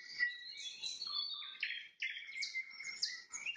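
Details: Nightingale singing at sunset: varied whistled phrases and short trills, some sliding notes, each phrase changing pitch, clear against a quiet background.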